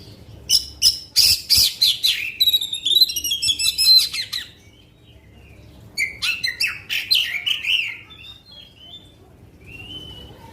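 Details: Oriental magpie-robin giving extended song bursts that provoke rival magpie-robins: two loud runs of fast, harsh chattering notes and high trills, separated by a short pause, ending in a thin drawn-out whistle.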